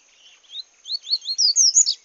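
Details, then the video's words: Wild double-collared seedeater in the bush sings a rising series of high, sweet slurred notes that grow louder and faster, closing with a sharp click and a final twitter. "paca capim cantando no mato"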